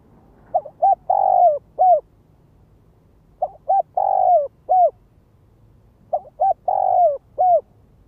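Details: Decoy spotted dove in urgent calling: three evenly spaced phrases about three seconds apart, each two quick soft notes, a long full coo and a crisp falling end note, loud against a quiet background.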